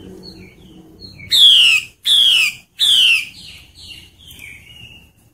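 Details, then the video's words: Wild forest female hwamei calling to attract males during breeding season: faint whistles from other birds, three loud, grating, downward-slurred calls, then more soft whistled phrases in the background. "Họa mi mái trùy hay trong rừng dụ trống hót hay"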